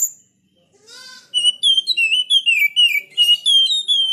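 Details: Oriental magpie-robin in sharp, lively song: a brief rattle, then a string of clear whistled notes and slurs sliding between high and middle pitches, given in quick succession.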